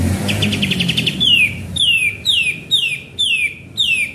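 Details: Lure recording of a sooty-headed bulbul singing lively: a short rapid chattering run, then six loud whistled notes each dropping steeply in pitch, repeated about every half second over faint background hiss.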